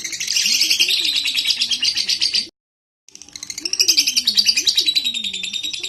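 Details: Lovebird in breeding condition, played to provoke a fighter bird: two bursts of fast, harsh, high-pitched chattering split by a brief silent cut, a low wavy cooing-like tone running beneath.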